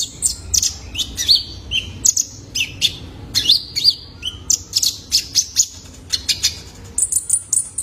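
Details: Kolibri Ninja juvenile male, a lure sound for training cage birds: lively run of sharp, very high chirps and short buzzy trills repeated through the recording.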